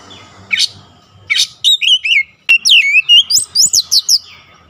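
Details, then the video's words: Oriental magpie-robin (kacer) singing insistently, performing its isian: two rough noisy bursts open, then rapid ringing whistles, rising and falling, pour out in a lively chattering stream. "KACER NGOTOT BONGKAR ISIAN"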